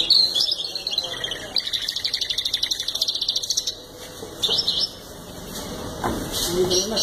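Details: Canary singing at length: a fast, even trill of rapid high notes repeated about four times a second, then brief chirps and a short buzzy burst, with faint background murmur.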